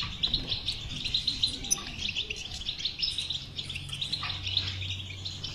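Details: European goldfinch delivering a batbata song, intended to coax a silent goldfinch into singing; dense, tinkling high twitter flows continuously with occasional sharper notes, light low hum in the background.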